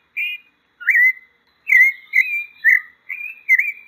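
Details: Whistled song of the pale-breasted thrush, or sabiá-poca: a few rising slurs and longer warbled notes with wavering pitch, closely linked phrases toward the end.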